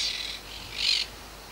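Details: House wren calling on a winter outing at Punta Indio: two short, harsh, buzzy bursts of high raspy chatter, the second louder, separated by a brief gap, over faint background hiss.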